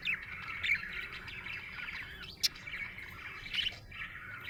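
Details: Happy budgie chatter: steady stream of soft warbled twittering with scattered sharper chirps and one abrupt click, over a low background hiss.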